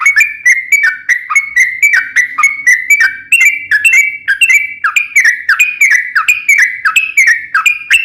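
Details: Yellow-vented bulbul in lively 'ropel panjang' long rolling song, used as a lure to make other bulbuls sing: rapid, continuous run of short whistled notes dipping and rising, each with a sharp clicky edge, with no pauses throughout.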